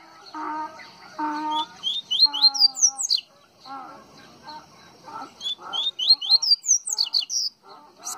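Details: Double-collared seedeater (coleiro baiano) from Pernambuco, Brazil, singing quick bursts of short, sharp, high whistled notes, sweeping and slurred, delivered in rapid runs; steady, low, buzzy instrumental music tones play underneath at the start.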